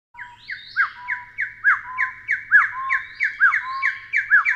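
Taiwan hill partridge giving a rapid series of harsh, rising notes, about three per second, growing louder through the series.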